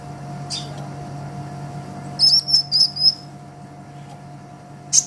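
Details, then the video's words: Sunbird master recording for training songbirds: a brief run of four or five very high, piercing stuttered notes in the middle, with isolated chips before and after amid quiet hum. "Suara Kolibri Ninja KONIN GACOR Untuk Masteran Kicau ! Konin Ijoan Gacor"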